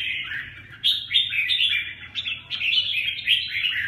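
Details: {'text': 'Red-whiskered bulbul uttering a rapid stream of rich, jumbled warbling notes that rise and fall, over a low murmur.'}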